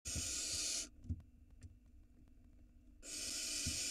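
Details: Small barn owl nestling at a nest camera in Israel, 2022, swallowing a huge rat whole; two long, harsh, breathy hisses, each nearly a second, separated by quiet shuffling and soft thuds.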